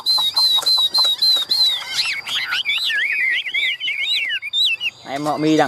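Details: A hand-tame Chinese Hwamei, held in the hand, gives a loud fighting song: varied whistled phrases, rising and falling, after a run of repeated clear notes. A man's voice speaks over the start and end.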